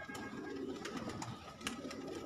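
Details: Kept pigeons in a hobby loft giving soft low cooing notes, faint and partly masked by clicking and rustling from the birds and a steady background hum.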